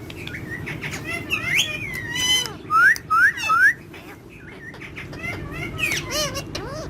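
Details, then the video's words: Parrots interacting with one another, one of them described as talking in Urdu and Hindi; three loud rising whistled notes about half a second apart stand out among scattered chirps and squeaky calls. "Mitthu Having Fun And Talking With Other Parrots In Urdu Hindi"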